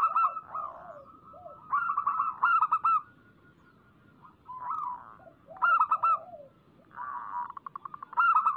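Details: Local zebra dove singing briskly in a lure recording for doves: repeated phrases of rapid, soft coos ending in bright clipped notes, about every two seconds, alternating with low burbling and a fast rattling trill.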